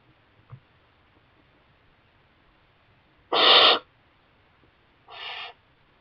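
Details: Young barn owl in a kestrel nest box, its parents bringing mice; two harsh, broad hissing screeches, the first loud and about half a second long, the second shorter and softer, with quiet background between.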